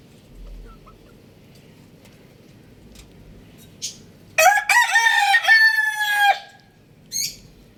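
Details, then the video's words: Rooster crowing: one loud harmonic crow of about two seconds that opens with short notes and ends in a long held, slightly falling note, followed by a brief shorter call, over a quiet background. "Rooster Crowing Sounds"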